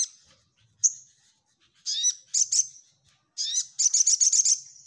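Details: Orange-headed thrush singing in the energetic nyecret style, used to steel other birds for group contests: bright high note, pauses, sharp downslurred chirps, ending in a rapid stuttering run of buzzy metallic notes.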